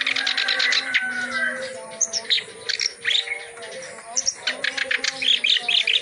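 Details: Vigorously singing reed warbler pouring out its full repertoire as tutor material: grating chatters, squeaky rising whistles and quick trills, layered over soft steady tones and faint background calls.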